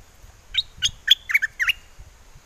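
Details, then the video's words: Caged bulbul of wild forest song style from Chana, Songkhla, calling for a mate on a windy day in southern Thailand: a quick run of five bright, clear whistled notes, sweeping and dipping, with low rumble behind. "Burung merbah lekir hoach thom gacor bahanan"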